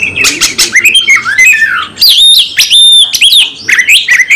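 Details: Oriental magpie-robin pushing aggressively in fighting mode with a full repertoire, pouring out loud clear whistles that slide up and down, mixed with harsh chirps and quick ringing notes in almost unbroken phrases.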